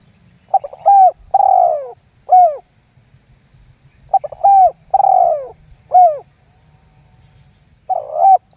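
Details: Spotted dove lure call used to make wild doves respond: repeated phrases of short stuttering coos followed by a long purring coo and a rising-falling note, about three phrases spaced several seconds apart.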